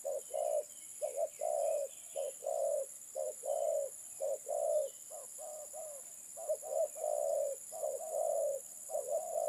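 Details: Terkukur, the spotted dove, calling in a continuous run of low coos, paired short notes leading into longer sustained ones, roughly one per second, with faint high hiss throughout.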